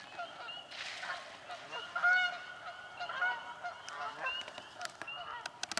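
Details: Nesting-spot fight among Canada geese in a swamp, with a steady wash of overlapping honks, a loud burst near two seconds and sharp clicks toward the end.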